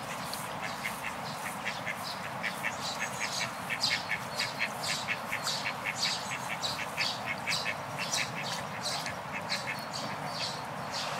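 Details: Orphaned eastern spot-billed ducklings, broods aged 25 days and 2 days, approach adult ducks, seemingly asking to be adopted. They give a rapid run of high, thin peeps, several per second, steady over a constant noisy background hiss.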